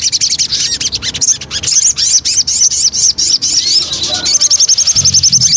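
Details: Javan cochoa lure song: dense high twittering and chirps with rapid upslurred notes, ending in a fast even trill of repeated high notes.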